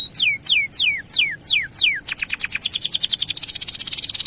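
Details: Canary song played to excite male canaries into song: six loud descending whistled slurs, then a fast, accelerating high trill.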